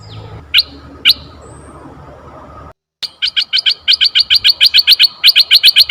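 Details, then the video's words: Red-eyed bulbul, forest bird, recorded for luring other bulbuls: after two isolated sharp chirps and a brief pause, a fast run of short, bright, paired chirps repeats about four per second. "suara merbah mata merah"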